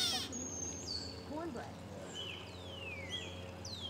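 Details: A Gray Catbird in a backyard in summer 2021, around the Strawberry Moon, gives slurred, downward cat-like mewing notes with a few thin whistles; a low hum and faint voices sit underneath.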